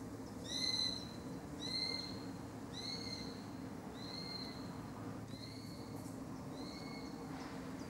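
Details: Sparrowhawks screaming at a butterfly botanical garden: six high, thin, slightly arched screaming calls, about one every 1.2 seconds, over a steady low rumble of background noise.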